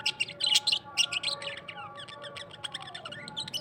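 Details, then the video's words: Australian parrot singing a busy, scratchy chatter of quick clicks, chirps and brief sliding whistles, packed densely and then thinning out, with a faint steady hum behind. "Australian parrot singing"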